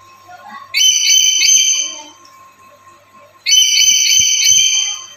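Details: Black-capped lory used as a master bird for luring: two long, loud, grating screeches with a slightly wavering tone, separated by a pause, over a faint steady hum.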